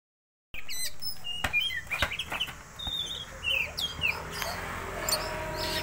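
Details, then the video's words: Oriental magpie-robin song used as a lure to stimulate other birds. After brief silence, varied whistled notes and sweeping chirps at high pitch, mixed with sharp clicks and a busy background. "pancingan kacer"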